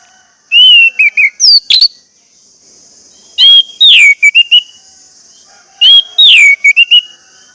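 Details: Orange-headed thrush lure song for prompting silent caged birds to sing: three phrases, each a clear sliding whistle followed by quick clipped notes and slurs, spaced roughly every two and a half seconds, with a steady high hiss behind.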